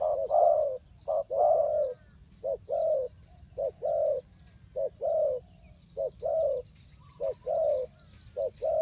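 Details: Spotted dove cooing, used to lure wild birds into a trap: low, hollow coos in short-then-long phrases, about one note a second, with faint high chirps of other birds in the background.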